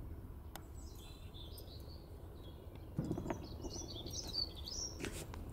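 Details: Dunnock singing in spring at Dunfermline on 9 April 2020: thin, high, rapid warbling phrases, one near the start and a longer jingling run later, over a steady low rumble with a few sharp clicks.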